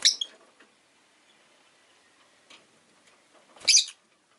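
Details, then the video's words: Two piercing high chirps from a rosy-faced lovebird, one at the start and one after a quiet stretch of about three seconds with faint twitter. "Lovebird Chirping Sounds"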